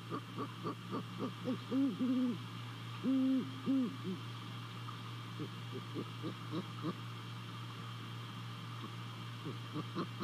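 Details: Night visit by a great horned owl to a Savannah nest, 28 December 2020, recorded by nest camera: a stream of fast short notes, then several deep level hoots in close succession, trailing off into more rapid soft notes, with low hum throughout.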